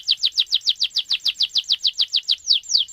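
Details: Canary in lively song with a long roll, played to stir other canaries into singing: an even, rapid string of about six downslurred whistled notes per second, ending with two longer sweeping notes.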